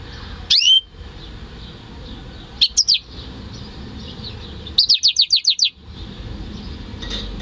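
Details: Home-bred male European goldfinch × canary hybrid singing, recorded in May 2015: scattered high chirps and slurred whistled notes, then a fast run of about seven sharp repeated notes, over steady background hiss.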